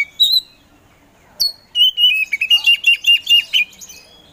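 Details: Song of an Oriental magpie-robin of the poci type: a few scattered whistles, then a long fast trill of bright, slightly rising and falling notes lasting nearly two seconds.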